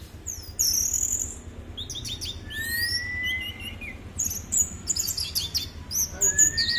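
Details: Lively orange-headed thrush song: a rapid mix of high, sharp chirps and trills, broken by smooth rising whistled notes, varied and busy throughout, with a faint low hum beneath.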